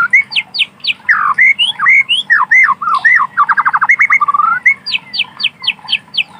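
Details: Wild forest white-rumped shama song: loud whistled slurred notes, a quick trill of about ten rapid repeated notes, then high sharp notes, all over a low steady hum.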